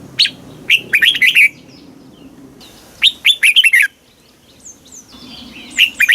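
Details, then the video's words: Red-whiskered bulbul singing in the southern master style from Thailand, used to stimulate caged birds and teach young birds: bright chirpy phrases of quick rising and falling notes, given in three bursts about two seconds apart, with faint whistles between. "เสียงนกกรงหัวจุก ร้อง ริก"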